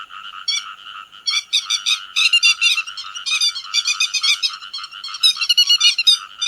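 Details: Grey-headed lapwings calling the flock: dense, harsh, nasal notes with rich overtones, overlapping in irregular bursts of several per second, quieter at first and then louder and busier, as if several birds call at once.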